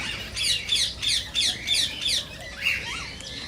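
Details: Rose-ringed parakeet calls meant to prompt singing and mating in other parakeets: loud, raspy screeches in a steady run of about eight notes, followed by a softer chirp.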